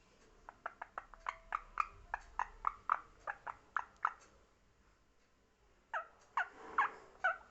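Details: Parrot described as talking: rapid series of short clipped notes, a pause of near silence, then louder rasping calls.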